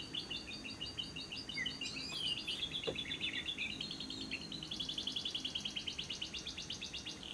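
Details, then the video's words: Ngekek trill of a lovebird in a lure recording for day and night: mixed high chirps at first, then a long, steady, very fast series of repeated buzzy notes. "Pancingan Suara Burung Lovebird yang pas untuk Siang dan Malam hari, masteran labet ngekek panjang"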